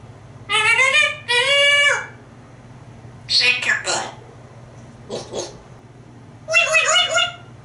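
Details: Talkative African grey parrot kept as a pet in a Texas home, eager to go out to its screen porch. It produces clear, voiced, human-like phrases in four separate bursts with quiet gaps between them.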